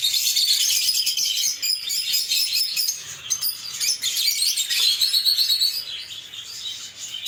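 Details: Lovebirds, small social parrots, chirping: dense, shrill high chatter of rapid overlapping tweets, about two to three notes per second, continuous throughout with brief dips, no other clear sounds.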